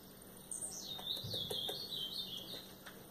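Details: Captive female ultramarine grosbeak from a breeder's stock, which raised eight chicks this year, calling to stimulate the male: a thin, high whistled phrase that slides down and then wavers for about two seconds, with faint clicks around it.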